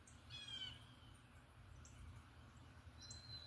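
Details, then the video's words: A bird sings a pretty little tune in the morning: a brief buzzy trill, then soft high chirps, ending on a thin, sustained high whistle, all over a quiet low rumble. "What bird is singing the pretty little tune?"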